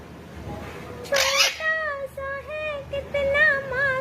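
A parrot sings a wavering, tune-like series of sustained, nasal notes that slide up and down, after a brief harsh burst.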